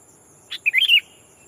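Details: Sooty-headed bulbul decoy calling a rival to attract wild birds: one sharp note, then a rich rolling warbled phrase lasting under half a second, over faint high insect drone.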